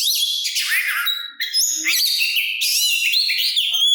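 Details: Oriental magpie-robin, its song meant to provoke rival birds to answer and to raise their aggression: dense, fast whistled and trilled phrases, some high and piercing, flowing continuously.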